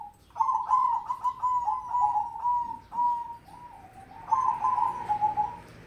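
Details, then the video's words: Crossbred zebra dove of mocha colour, singing actively: a long, almost unbroken run of pulsed, vibrating coos lasting nearly five seconds. A short break comes before a final loud trilled flourish. "Perkutut Crossing Warna Mocaa Gacor"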